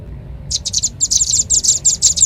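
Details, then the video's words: Velvet-fronted nuthatch lure call: after a short silence, a burst of fast, high, buzzy chattering notes starts and continues at a quick, even pace. "Suara pikat burung rambatan paling ampuh | rambatan paruh merah"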